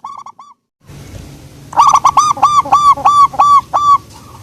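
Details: Soft-voiced local zebra dove: a brief quiet phrase of four coos, a pause, then a long loud run of about seven evenly repeated arched cooing notes.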